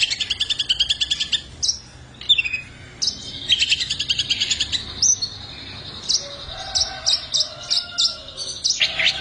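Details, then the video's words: Long-tailed shrike singing energetically with luxurious varied material: quick repeated chatter runs, high downslurred whistles, clipped notes spaced about half a second apart, and faint lower tones near the end. "FULL SPIT CENDET GACOR MATERI MEWAH"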